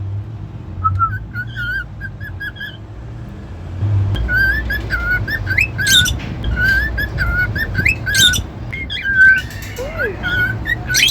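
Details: Pet cockatiel giving a run of warbling whistled notes that wavers and loops up and down, growing busier midway, over a low room hum.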